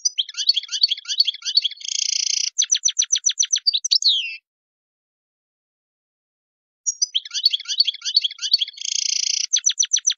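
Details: Wild European goldfinch repeating a song phrase twice: dense twitter, a buzzy sustained section, a series of sharp regular clicks, then a falling slur, with a gap between phrases.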